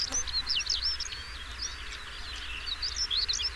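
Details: European stonechat singing: fast, high twittering phrases of squeaky, sharply rising and falling notes, in bursts separated by short pauses, over a steady low rumble of background noise.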